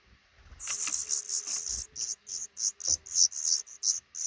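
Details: Black redstart nest tucked under a roof over a front door, where a pair raises five newly hatching chicks; loud, very high hissing chatter, first a continuous run, then broken into quick pulses about three per second.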